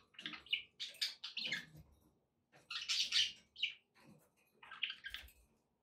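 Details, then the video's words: Budgerigars chattering to encourage a pet parrot to eat and sing, heard in three bursts of rich, scratchy warbling with squeaks, with a soft low rumble and light background noise underneath. "budgie sounds to encourage your parrot to eat and sing"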